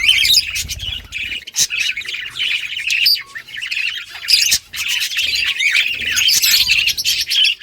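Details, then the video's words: Australian budgerigars in a breeding colony chirp together in a bright, overlapping chatter of squeaky notes and rapid warbles, with brief louder squawks and short pauses, over a low rumbling hum. "Budgies breeding progress and chirping sounds"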